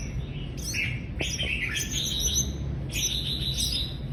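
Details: High, thin chirps and short sliding twitters come in quick bursts from a Mrs. Gould's sunbird, with brief gaps between bursts and a low background rumble.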